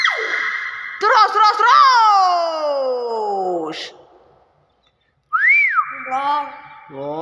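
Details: Common hill myna calling: loud, clear whistles with strong overtones that slide slowly downward, then a pause and a sharply rising then falling whistled note that levels out. People exclaim in the background.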